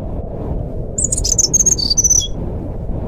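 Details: Forest flycatcher (sikatan rimba) fluting song played as a lure for birds that have stopped singing: a quick one-second burst of high, thin whistled notes, mostly level with a final downward slur, over constant low hum.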